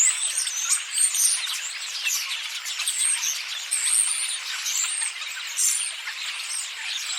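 A busy chorus of starlings: dense, overlapping high chatter with squeaky whistles and scratchy clicks, steady throughout and suggesting many birds calling together.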